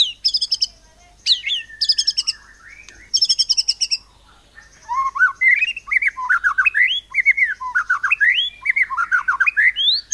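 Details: White-rumped shama song in 'nembak cungkok cililin' style, used to get other birds singing: opening bursts of rapid high notes give way to a long, varied run of fluty rising and falling whistles.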